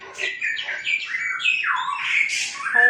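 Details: White-rumped shama singing a loud, fast run of varied whistled phrases that slide up and down, with some notes sharp and squawky, continuing without pause for about three seconds.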